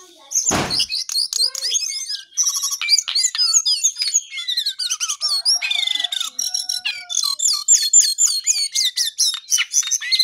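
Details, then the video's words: Lesser shortwing (cingcoang coklat) singing energetically: a dense, rapid stream of high, varied chirps, trills and slurred whistles, some notes sliding downward, with a sharp broadband knock near the start. "Jongkangan/Cingcoang coklat paling gacor di dunia maya"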